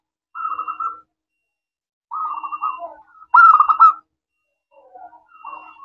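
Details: Zebra dove of local stock, a keen singer with a clear 'crystal' voice, used as a lure to draw answers: four separate cooing phrases of pulsed, rolling notes, the third loudest, with quiet gaps between them.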